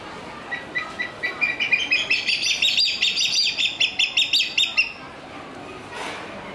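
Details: Captive crowned hornbill at Ueno Zoo, Japan: a run of piping notes that starts slowly, then speeds into a rapid, steady series of about twenty bright pulses over four seconds before stopping abruptly.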